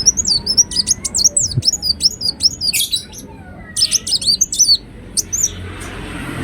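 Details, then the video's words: Ruby-cheeked sunbird, known in Indonesia as kolibri wulung, singing bursts of very high, sharp chirps and zigzag notes separated by short pauses, fading out near the end. "Kolibri Wulung Gacor Latah Gampang Bunyi"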